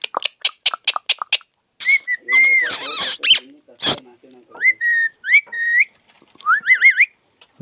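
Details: Pet parrot over 25 years old from a village in Konkan, India, known for talking in a human-like voice heard across the yard; a run of short sharp clicks, then clear whistled rising and wavering notes mixed with harsh speech-like squawks.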